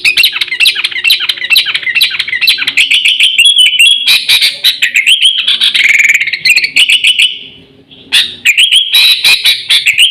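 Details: Sooty-headed bulbul giving a lure call for attracting wild birds and training caged ones: long stretches of fast, warbling, bubbly whistles over steady rapid ticking, briefly pausing near the end before resuming.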